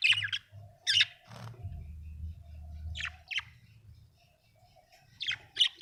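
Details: Budgerigar chirping happily indoors: bright high chirps in short clusters at the start and again near the end, with a quiet gap between and a faint low hum underneath.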